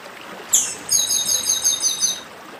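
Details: Chestnut-bellied seed finch (papa-arroz do Nordeste) singing the dedim song style beside a stream: a sharp upslurred note, then a rapid run of high, buzzy, repeated double notes, over a steady background of running water.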